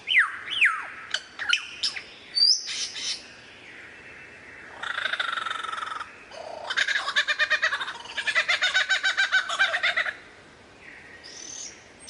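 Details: Varied lyrebird song mixing imitated sounds: clear sliding whistles and clicks, a buzzy grating phrase, a long fast mechanical rattle lasting about three seconds, then soft whistled notes.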